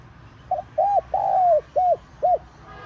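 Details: Spotted dove phrase used for luring wild doves, five notes: a faint short note, a rounded coo, a long slurred descending coo and two short arched coos, evenly spaced, over quiet low background.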